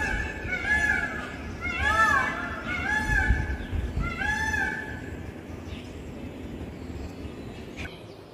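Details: Indian peafowl, a peacock perched on a tall tree, calling to others as the sky turns cloudy before rain. Four loud, nasal, rising-falling wails come about a second apart, then fade to quiet outdoor background.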